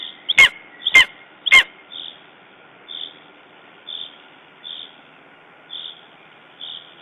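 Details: Lesser spotted eagle at its nest in Estonia on 14 June 2011, upset after a raven attack. Three sharp clicking snaps open the recording, followed by short, thin, high notes repeated roughly once a second in an otherwise quiet setting.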